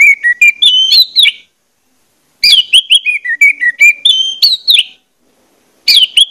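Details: Orange-headed thrush song played as a lure to prompt singing: runs of clear, bending whistles and trilled notes climbing and falling, delivered in phrases about two seconds long with brief silent gaps.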